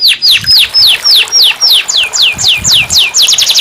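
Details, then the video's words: Canary song meant as therapy for a canary that stopped singing: loud, evenly spaced falling whistles repeated about four times per second, ending in quicker, higher notes. "terapi kenari macet bunyi"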